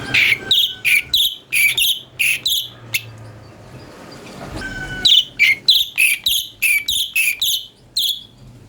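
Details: Brown-breasted Bulbul (cucak cungkok) song, used as a tutor for training magpie-robins: a run of short, sharp chirped notes, each with a bright downward-bending whistle. The notes come about every half second, with a brief pause midway.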